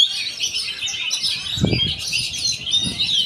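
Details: Oriental magpie-robin (kacer), tagged as a champion fighter bird, singing a dense stream of high, rapid chirps and warbled phrases with short whistled notes, over low thumping handling noise in the background.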